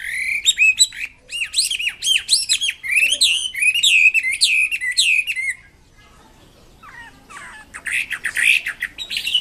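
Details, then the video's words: Wambi kembang mandarin bird singing vigorously: rapid run of sharp, bright chirps and upslurred whistled notes for about five seconds, a quiet pause, then a burst of harsher high chattering. "BURUNG WAMBI KEMBANG MANDARIN GACOR KICAUNYA"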